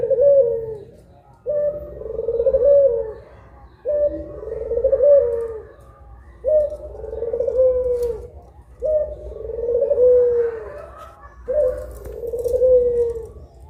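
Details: Puter pelung, a collared dove, calling in the middle of the day, one of two birds: a steady run of six low drawn coos, each opening with a brief lift, repeated about every two seconds and a half.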